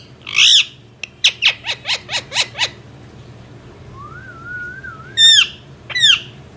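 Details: Indian ringneck parrot giving a harsh squawk, a rapid run of six descending chirps, a long soft wavering whistle, then two loud arching squawks, over quiet background hum.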